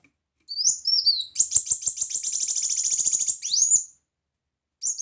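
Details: Kolibri wulung, the brown-throated sunbird, singing loudly for tutoring other birds: a few high slurred whistles lead into a long, rapid, buzzy trill of very fast repeated high notes, then a final upslurred note.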